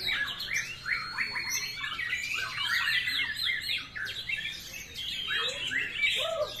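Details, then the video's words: White-rumped shama (murai batu) song, a bird said to have a sharp voice like thunder: a fast, dense stream of high chirps, whistles and rattling trills, with varied phrases following one another without pause. Faint background voices. "MURAI SUARA TAJAM KYAK PETIR"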